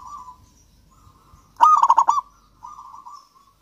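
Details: Local zebra dove from Java singing vigorously: a brief stretch of soft trilled coos, then one loud staccato phrase of rapid pulsed coo notes, then quieter trilling again. Intended to lure lazy doves into singing.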